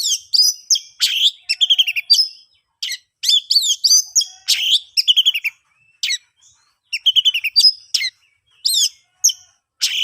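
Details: Oriental magpie-robin song, the lively ngeplong style used as a lure to get silent or stalled birds singing: bursts of sharp whistles, harsh buzzy notes and rapid chattering phrases, separated by short pauses, clean with no background.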